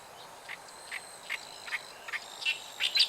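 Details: Oriental reed warbler by a river in Japan, 29 June 2013, gives harsh, grating notes about every 0.4 seconds, growing louder toward the end, over a faint high steady hiss.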